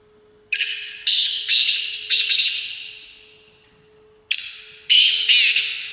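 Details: Black francolin in a trial match in London, UK, giving loud rasping, grating call phrases of several quick harsh bursts that trail off, a second phrase starting after a silence, over a steady faint hum.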